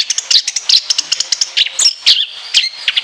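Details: Orange-headed thrush delivering shrill, piercing bursts with a long, varied fill: rapid chips and sharp high whistled notes packed closely together, with a few sweeping slurs near the end.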